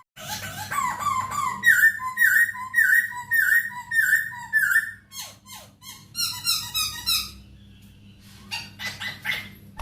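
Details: Masked laughingthrush singing in a recording used to tutor captive songbirds: a run of loud whistled notes repeated about twice a second, then quick buzzy, chattering trills, over a steady low electrical hum.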